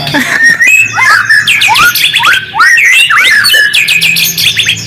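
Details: White-rumped shama lure song: sharp falling whistles, quick chirps and rattling trills in energetic phrases, meant to provoke quiet shamas into answering.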